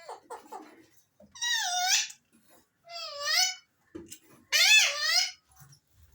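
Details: Alexandrine parakeets produce rapid chattering notes followed by three drawn-out, strongly harmonic calls that rise and waver before fading, in a quiet indoor setting.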